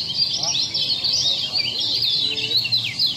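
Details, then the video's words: Lombok kecial song from a bird-keepers' masteran tutor recording: dense, continuous high twittering with rapid chirps and warbled notes, rising and falling without pause, over faint low background noise. "masteran kecial lombok"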